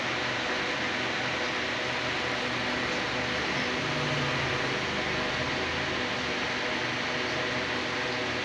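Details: Steady broadband hiss, like a fan or air conditioner, fills the whole recording, with no animal voice.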